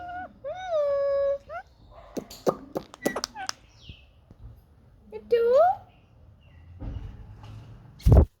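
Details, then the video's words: Pet Indian ringneck parakeet in a happy mood, talking while enjoying the sun: high, wavering harmonic phrases with rising and falling contours, broken by short clicks and sharp notes, ending in a loud burst. "Talking parrot"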